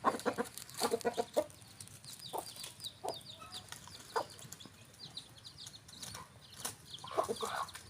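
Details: Rooster and hen on a farm, clucking: short low clucks in quick bursts near the start and again toward the end, with many faint high chirps from small birds throughout.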